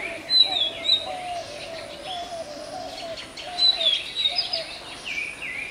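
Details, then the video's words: Magpie robin song from Bangladesh, where it is the national bird: bright high whistles and slurred notes in two bursts, with a low warbling hum underneath. "Song of Magpie Robin"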